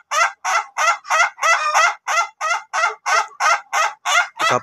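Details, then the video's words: Rhythmic laughing crow of an Ayam Ketawa rooster of the duration type, trained for long crowing. About thirteen rich, evenly spaced syllables pour out in under five seconds, and a brief rough noise follows at the very end. "AYAM KETAWA TYPE DURASI KOKOK PANJANG"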